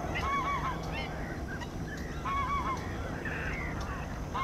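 Bar-headed goose giving nasal, wavering honks in short bursts about every two seconds, with other goose calls and a steady low rumble behind.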